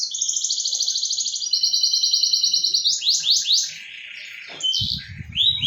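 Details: A long, fast, pulsing canary trill, then several steep downward slurs and softer warbling, played to rouse a silent canary; a loud knocking noise near the end.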